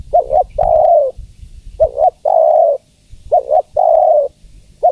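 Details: Spotted dove female calling a male: soft hooting phrases that open with a short doubled note and swell into a long, level coo. The phrases repeat regularly over light low noise.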